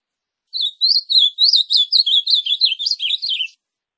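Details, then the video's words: Azulão, the ultramarine grosbeak, in a three-second burst of rapid, twittering song notes, each slurred up and down and delivered at a steady quick pace, meant to rouse a captive bird into singing. "Excelente canto para levantar azulão."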